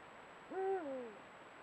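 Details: A Eurasian eagle-owl, one of a pair filmed by camera trap at golden sunset, gives a single deep, mellow hoot that swells, then slides downward and fades within about half a second, against a quiet background.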